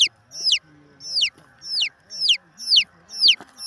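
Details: Chicken chick peeping: piercing notes falling steeply in pitch, repeated roughly twice a second, with soft low background murmuring and a faint hum.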